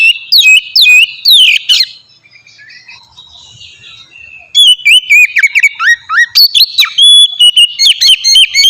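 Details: Oriental magpie-robin singing to prompt other magpie-robins: a few loud slurred whistles, a quiet gap of about two and a half seconds, then a rapid burst of varied chips and clear whistled notes.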